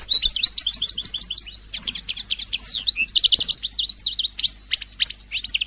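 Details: European goldfinch in lively song to prompt singing, rapid, varied twittering with clear chirps, short buzzy elements and quick liquid phrases repeated in an unbroken stream.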